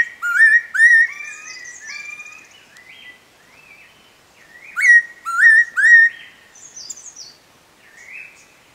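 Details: Spotted laughingthrush at Eaglenest Wildlife Sanctuary in the Himalayas giving clear, sharp whistled phrases that rise and bend, in two bursts of three to four notes, with quieter whistles in between.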